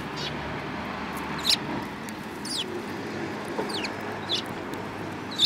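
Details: Several Eurasian tree sparrows, one yellow-billed, on 7 March 2018; sparse high chirps and descending tweets at irregular intervals against a constant low rumble.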